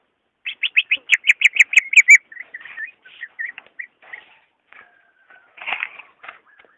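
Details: Greater green leafbird song meant to stimulate a caged bird that is lazy to sing: a fast string of about ten sharp whistled notes, then softer scattered chirps and a brief rustle.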